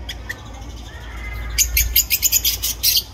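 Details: Small family of parrots calling: after a quiet opening, a quick burst of about eight sharp, harsh, broadband squawking chirps, roughly three per second, over a low background hum.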